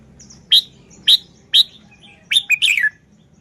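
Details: Red-whiskered bulbul delivering its song style: three evenly spaced, piercing whistled notes about half a second apart, followed by a rapid warbled cluster of slurred notes falling in pitch, over faint low hum.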